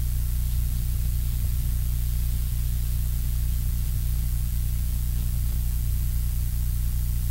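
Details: Continuous hissing static over a strong low mains hum, with no animal calls.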